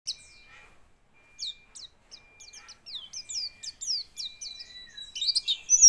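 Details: White-eye singing while quivering: after a quiet start, thin high chirps and short downslurred whistles come in loose bursts, growing denser and louder toward the end.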